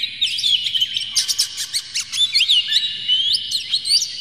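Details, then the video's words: Singing Oriental magpie-robin, played to provoke another bird into singing: a sustained high whistle overlaid with rapid clicks, chirps and rising and falling slurred notes, busy and unbroken. "PANCINGAN KACER Buka Ekor KONSLET bongkar MATERI KASAR JERNIH agar KACER emosi"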